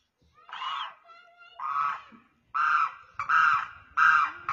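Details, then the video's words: A Demoiselle crane on the ground calling to other cranes in the air gives five loud, harsh, trumpeting honks, each about half a second long and roughly one per second, with faint background noises between calls. "Demoiselle crane sound | Bird Call/Voice"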